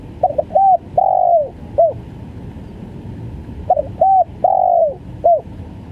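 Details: Spotted dove of the stuttering 'gagap' sort calling twice: each phrase a quick double note, a short coo, a long falling coo and a clipped final note, about three and a half seconds apart, low hum behind.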